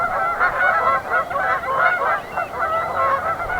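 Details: Tundra Swans gathered at a spring migration stopover near Pinery Provincial Park in southwestern Ontario, heading north to breed. A dense chorus of overlapping nasal, bugling hoots rises and falls without pause from many birds at once.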